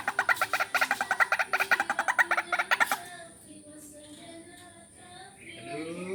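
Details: White-breasted waterhen calling, a lure call used for vocal training. About three seconds of rapid, grating, regularly repeated pulses, then a quieter stretch with faint voice-like sounds.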